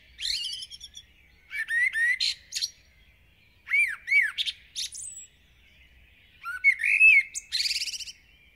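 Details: Intense dawn singing from a village common blackbird: four short verses of low, fluty down-slurred whistles each tipped with high squeaky chattering, separated by brief pauses.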